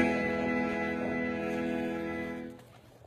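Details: Sustained instrumental music with steady held tones fades out near the end, and no animal voice can be picked out.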